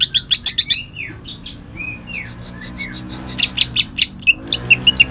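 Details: Leafbird from Kalimantan delivering rough, shot-like phrases with shrike mimicry: sharp clicking chips, then soft downslurred whistles in the middle, followed by another burst of loud staccato chips.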